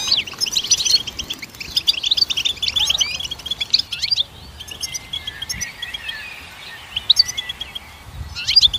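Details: Goldfinch singing, meant for training songbirds: busy high twittering for the first four seconds, then a quieter stretch of scattered thin calls, ending with short bursts of chirps.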